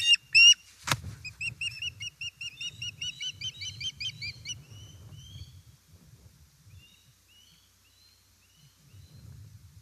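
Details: Osprey at an Estonian nest, 1 September 2019, fish being brought: a loud snapping knock among shrill yelps, followed by a dense series of chirped whistles that fade into sparse, distant-sounding notes.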